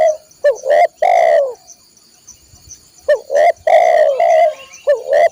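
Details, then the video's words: Spotted dove cooing, aimed at training caged birds: two phrases, each made of short clipped notes and a long loud falling coo, separated by a quiet pause. A faint steady high tone sounds throughout. "masteran burung tekukur/derkuku"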